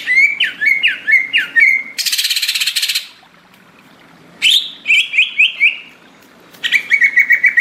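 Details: Greater green leafbird, a gacor singer in tropical forest: three rapid runs of slurred whistles, interrupted after the first by a second-long harsh buzzing rattle, then quiet before more whistling.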